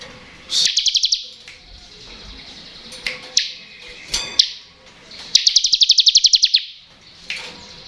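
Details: Bar-winged prinia in the ngebren singing style, played to stimulate lazy birds to sing: rapid, high, even trills of clipped repeated notes, about a second each, with sharp single chips between them over a constant hiss.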